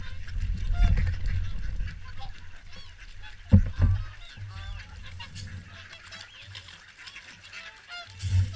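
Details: Swans at WWT Caerlaverock during the morning feed: a chorus of overlapping nasal honks, bugling irregularly throughout, with heavy low rumbling thumps near the start, middle and end.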